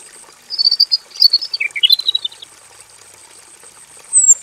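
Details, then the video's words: Robin kept in a simple aviary cage delivers lively varied song for training other songbirds: one rapid chattering phrase of high warbled notes dipping briefly lower, silence, then a short thin note at the end; steady faint hiss behind. "KICAU SUARA MASTERAN BURUNG ROBIN GACOR FULL VARIASI DI KANDANG AVIARY SEDERHANA"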